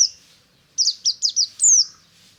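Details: Ngalas-style morning song from a white-eye: a quick string of four high buzzy chirps ending in one longer sweeping downslurred note.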